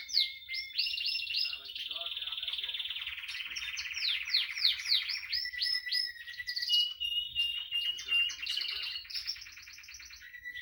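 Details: A female Spanish timbrado canary sings a long varied sequence of bubbling rolls, descending slurred whistles and clear tones, with brief breaks between sections.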